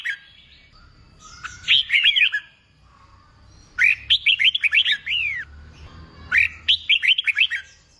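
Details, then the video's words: Red-whiskered bulbul song used to train young birds to sing in contests: three bursts of rapid, bouncing slurred whistles, each about a second long, with a low background hum. "Kích bổi nghe là hót, luyện chim hót đấu, luyện chào mào bổi sổ giọng"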